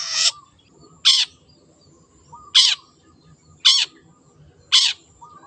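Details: Five loud, scratchy rasps from a wild long-tailed shrike, spaced about a second apart, with faint chatter underneath.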